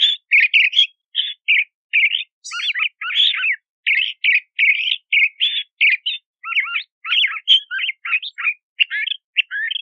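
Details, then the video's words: Crissal thrasher singing a long, varied run of short chirpy and scratchy phrases, each about half a second, following one another with brief gaps, some notes sliding down; clean background with no other sounds. "Crissal Thrasher Song! Crissal Thrasher Sound! - Cuitlacoche Culirrojo Canto"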